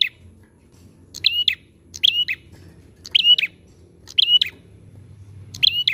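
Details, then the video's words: Sooty-headed bulbul singing as a lure to set other birds off: bright warbled chirp phrases, each a fast doubled flourish, coming at irregular intervals of about a second, over a low droning background noise. "PANCINGAN PRENJAK GACOR AMPUH!"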